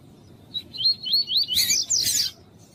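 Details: Double-collared seedeater in tuí-tuí song alongside a calling female, used for warming up tournament males: rapid rolling whistled slurs rising in pitch, then a dense harsh burst near the end.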